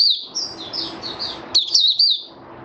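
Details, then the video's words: A male white-eye sings on 8 January 2022, a rapid, high, thin warble of sliding twittered notes that runs almost without a break, over a soft low hum. "Mata Puteh Raja Stablizing his form buka sing"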